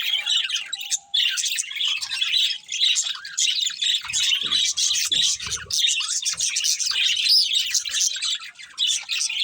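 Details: Pet budgerigars chattering in dense, high, scratchy warbles and clicks, one short pause about a second in, then continuous overlapping chirps from several birds.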